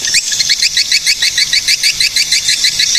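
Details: Swiftlet calls from Cilacap, Central Java, Indonesia: a fast, steady run of high, clipped chirps, each a short upward twitter with a thin buzzy overtone, repeated roughly three times a second throughout.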